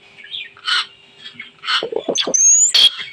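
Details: Pet talking common hill myna imitating a koel's call: clear, high whistled and chirped notes with short squawky bursts, ending in a sharp rising whistle and a loud harsh note.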